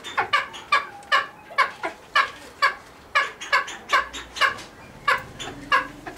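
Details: Cheer pheasant kept at a pheasant nursery: a steady string of loud, coarse clucking notes, often in quick pairs, with a faint low hum in places.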